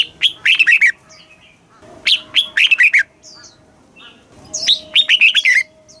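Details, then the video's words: Red-whiskered bulbul in a cage in Thailand, southern master-style song played to excite caged birds and teach young birds; three loud phrases of quick whistled and falling notes, each about a second long, about two seconds apart, steady low hum beneath. "เสียงนกกรงหัวจุก สำหรับต่อ หรือ เปิดให้นกคึก เสียงเพราะๆ"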